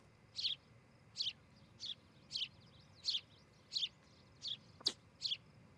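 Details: Osprey from a nesting pair at a Charlo, Montana nest, recorded by a nest camera on a July morning: evenly spaced, high, piercing chirps about every 0.7 seconds, with one sharp click near the end.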